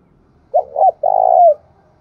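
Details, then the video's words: One coo phrase from a spotted dove calling in the Đồng Nai hills and forest, Vietnam. Two short bent notes lead into a long, steady coo that slides downward at the end. "Tiếng chim cu gáy thúc và gáy gọi vang cả núi rừng Đồng Nai"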